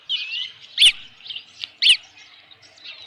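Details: Ospreys at a ranch nest on a July 2018 evening as a headless fish arrives: thin, slurred whistles broken by two loud, sharp chip notes about a second apart.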